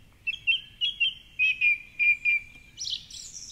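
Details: Song thrush in the dawn chorus at 4.45am beside the Curragheen River, Cork City, singing from a favourite perch atop a tall tree: a clear, fluty double note four times quickly, then a higher, scratchy flourish, over faint background rumble.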